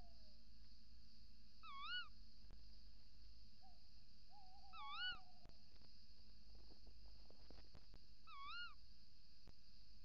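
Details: Little owls at the nest, the female calling at the nest hole entrance on a camera and the male calling outside, 28 December 2018 around 05:43. Three wavy, rising-falling calls come about every three seconds, with a lower drawn-out descending call midway, over steady low hum and faint clicks.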